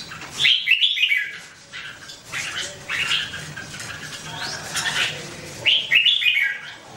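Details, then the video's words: Red-whiskered bulbul singing: short bright warbled phrases of three or four quick notes, rising and falling, repeated in bursts with brief pauses between them. "The Sound Of The Birds Singing Wonderful: Birds Red-whiskered bulbul"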